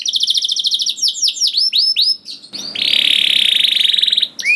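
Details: Canary lure song for juvenile birds: a fast high trill, then curved chirps, then a long, buzzy, steady roll at slightly lower pitch before a final chirp.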